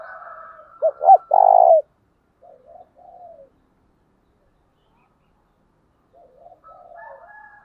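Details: Spotted dove phrase used to lure wild doves into calling. Two brief hoots lead to a long low coo, with faint low murmuring calls before and after.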